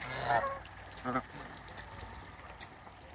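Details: African geese, a mature pair being introduced to new birds on a farm. Two short nasal honks come near the start and about one second in, followed by quiet background with faint clicks.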